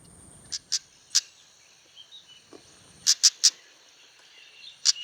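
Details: Female Amur stonechat, a non-breeding winter visitor, in rice fields and marshland at Prachuap, Thailand, giving hard, clicking 'tak' notes in short bursts of two or three, over a faint steady high insect hum.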